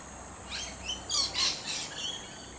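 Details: Wild lorikeet in a tree giving a quick run of shrill, harsh screeches, about five bursts in two seconds, the loudest pair in the middle, over a faint steady high hiss.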